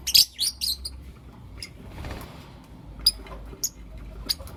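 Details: Blue opaline and lutino opaline lovebirds chirping in the morning: a quick run of loud shrill chirps at the start, then sparse single high notes over faint hiss.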